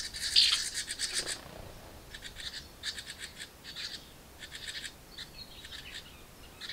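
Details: Hungry house wren hatchlings in a birdbox begging while parents deliver food: an opening loud burst of rapid, scratchy pulses, then shorter broken bouts of the same buzzy chattering with brief gaps between.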